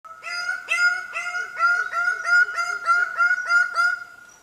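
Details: Greater bird-of-paradise in Indonesia giving a rapid series of loud, nasal, honking notes on a steady pitch, about three per second, each note rich in harmonics with a short upward inflection.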